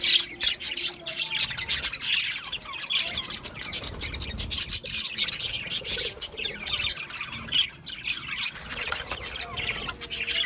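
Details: Budgerigar chirping: a lively stream of high, scratchy twitters and short chirps coming in rapid uneven bursts, with a brief lull around eight seconds before the chatter picks up again.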